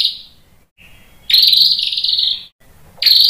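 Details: White-rumped shama singing to provoke other shamas; long high, harsh, buzzy trills lasting over a second each, separated by short gaps.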